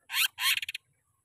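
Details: Greater green leafbird song, used as a lure for training caged birds: two harsh, buzzy broadband bursts, then four quick clipped notes, all within about a second.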